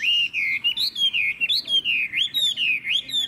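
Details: Caged Chinese hwamei, known for strong, loud singing, gives clear ringing whistles that rise and dip in looping phrases, about every half second, loud and pure.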